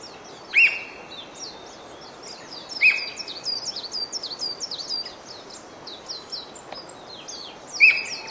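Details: Japanese Green Woodpecker singing on 5 May, loud 'pyuii, pyuii' calls: three strong whistled notes, each a sharp start then a long level tone, spaced a few seconds apart over steady high chirping of other birds.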